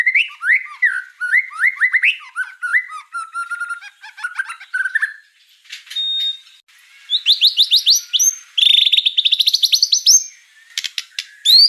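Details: White-rumped shama pouring out varied song: bubbling warbles and slurred whistles, short stuttering runs, a pause, then rapid rising trills of bright notes and a final upward whistle.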